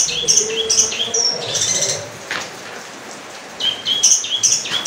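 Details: Long-tailed shrike (cendet) singing a rich medley of squeaky whistles and harsh chattering notes in two bursts, with a low hum beneath.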